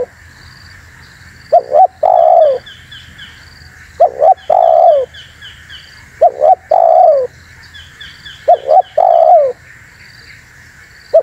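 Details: Spotted dove call for luring wild doves and stirring up rivals: five phrases of two brief notes and a long, low, falling coo, about every two seconds, with rapid high chirp series from other birds.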